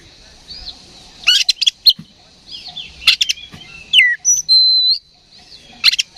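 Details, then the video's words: Oriental magpie-robin, provoked toward fighting by a decoy recording, gives harsh rasping bursts, curling whistled slurs and a long level pure whistle, with short quiet gaps between phrases. "KACER GACOR NGEPLONG TARUNG !! PANCINGAN KACER PALING AMPUH BUAT MENAIKAN EMOSI KACER AUTO RESPON"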